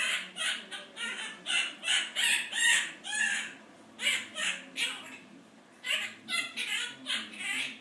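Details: Captive Quaker parrot, a male, imitating human speech it overheard, here the owner's grumbling about a job; quick strings of high, raspy word-like syllables, a brief pause midway, then more chattering phrases.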